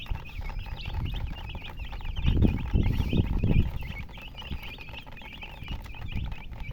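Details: Hen and chickens giving many short, high chirps in a busy overlapping stream, roughly two or three each second, with louder low thumping and handling noise in the middle.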